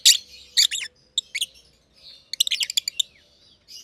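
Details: Lovebirds, a green personata and a green pied personata, chirping in a simple home aviary: harsh high chirps in clusters, separated by brief pauses, with a faint low hum beneath.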